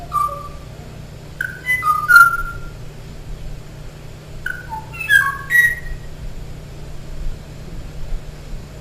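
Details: Song of a male Kauai ʻōʻō, the last one that could be found, singing and waiting for a female's duet response that never came: clear, flute-like whistled notes, some sliding up, some dropping, in two short bursts over a low hum.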